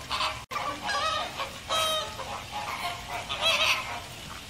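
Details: Flock of American flamingos honking, loud goose-like nasal calls mixed with harsher, drawn-out squawks that overlap from several birds, uneven in rhythm throughout.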